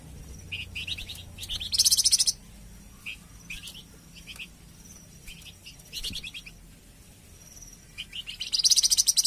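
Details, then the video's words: Flamboyan bird song, used as a tutor recording for training captive birds (masteran) and prompting them to sing (pancingan). High chirpy trills of quick notes come in short bursts, with two louder buzzy rattling bursts near the start and end. "Suara Kicauan Burung Flamboyan"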